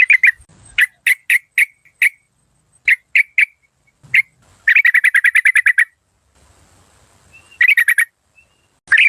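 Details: Yellow-vented bulbul used as a decoy bird, of the Malay local strain, described as fierce and good-voiced with rik-rik calls; sharp bright chirps in loose bursts, then a rapid even run of about a dozen notes, with more chirps after a pause.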